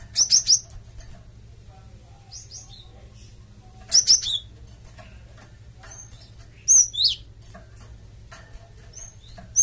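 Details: Rapid triplets of high, sharp chirps and swooping notes from a Java sparrow, used to provoke other birds into answering, come in bursts a few seconds apart over a faint low hum.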